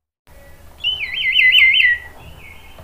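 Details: Warbling Orange-headed thrush song, intended to make other thrushes join in: a fast wavering trill of whistled notes swelling over about a second, trailing into a softer level whistle, with light background hiss.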